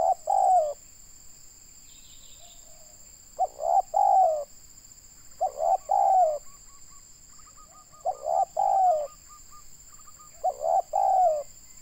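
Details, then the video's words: Local spotted dove from Indonesia, used in decoy trapping and described as big-voiced. Repeats five rhythmic coo groups, each a quick stutter plus a longer falling coo, about every two and a half seconds. A faint high whine is steady throughout. "Mikat burung tekukur suara boleh lah"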